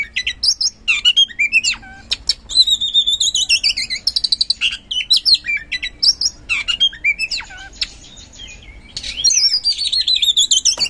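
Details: Gacor ngeplong song of an oriental magpie-robin, intended to provoke silent magpie-robins: long sequences of loud, sweeping, rising whistles and sharp clicks, densely packed, with brief pauses between bursts.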